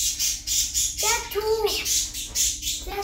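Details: A talking parrot in a shopping centre in Oslo, Norway, gives a short speech-like phrase of curved, warbling tones mid-clip, then a brief rising note at the end, over steady hissing indoor background noise.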